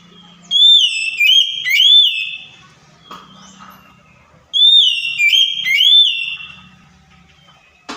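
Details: Kacer (Oriental magpie-robin) lure song meant to goad a silent bird into replying: two matching bright whistled phrases about four seconds apart, each a string of swooping, slurred notes, with a faint low hum between.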